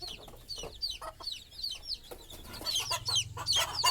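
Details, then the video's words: At night a hen settles on a stick nest to sleep while her young chicks give a rapid stream of high, thin peeps, several each second, with soft low murmuring from the hen near the end. "Mother Chicken Calling Chicks Go to Sleep - Baby Chicken Chirping Noises"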